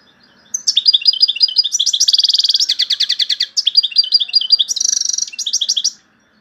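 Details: European goldfinch from Algeria in strong song featuring the phrases torojio, kaka jio and borouis: fast tinkling twittering trills, buzzy rattling runs and sharp high notes, delivered almost continuously for five seconds in a quiet setting.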